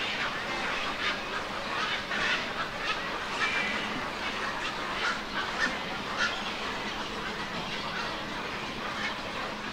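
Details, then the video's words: Young black-crowned night herons recorded on 24 July 2024 at Lac de Maine near Angers, France, giving rough, scratchy bursts at irregular intervals, with a few brief clearer tonal notes mixed in, against constant hiss. "BIHOREAU Gris/Nycticorax nycticorax/Jeunes ! BRUITX"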